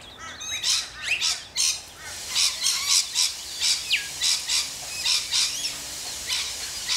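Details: Australian rainbow lorikeets: loud grating screeches repeated at a steady pace, about two per second, with a few squeaky notes early on and light background hiss.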